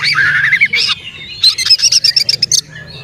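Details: Kacer (Oriental magpie-robin) song meant to make other magpie-robins agitated: a wavering whistled phrase, a harsh note, then a rapid string of about ten sharp, evenly spaced high chips over a low hum.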